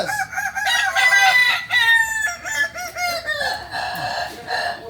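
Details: Kukuak Balenggek chickens at a Sunday gathering in Ampangkualo produce continuous harmonic crowing in pulsing, stepped phrases, with several birds overlapping throughout.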